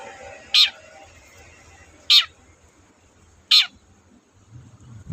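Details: Long-tailed shrike sound played as a lure to prompt reluctant birds to sing: three short, harsh rasping notes spaced about one and a half seconds apart, near silence between, and a low rumble at the end.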